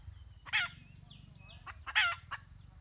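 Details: Red junglefowl hen, wild, 31 May 2023, gives two raspy, harsh squawks about 1.5 seconds apart, each trailed by a brief cluck, over a steady shrill insect background.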